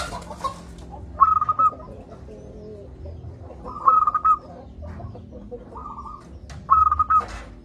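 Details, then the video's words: Local zebra dove with a big voice, played to set lazy doves singing: four brief, rapidly pulsed cooing phrases at an even mid pitch, repeated every one to two seconds, with scattered clicks and a low background hum. "Perkutut lokal gacor suara besar - Masteran Ampuh Mengatasi perkutut Malas bunyi"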